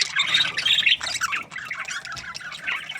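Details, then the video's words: Budgies chattering, with a loud scratchy warble at the start followed by quicker, softer chirps and squawks that tumble over one another. "Budgies parrot chirping sounds"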